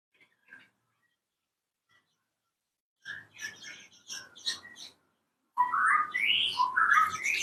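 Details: Caged cucak kopi, a bird of highlands and shrubland, calling in an aviary as they ask for food; faint chips, then a run of sharp chirps, then louder rising and falling whistled notes.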